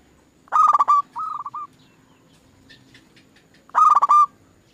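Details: Zebra dove song on a lure track to get other doves singing. A loud burst of rapid harsh pulses is answered by a softer stuttered phrase. After a quiet gap with faint chirping, another loud burst follows.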